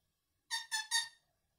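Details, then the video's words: An Indian ringneck parakeet gives three quick, harsh, nasal squawks in about half a second, each rich in overtones, in a quiet room, amid nonstop talking and sounds. "non stop talking and sounds"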